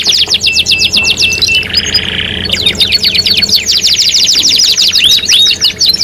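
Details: Canary singing in a 3-in-1 lure recording: quick repeated sweeping trill notes, a brief harsh buzzy roll in the middle, then renewed rapid high chattering trills.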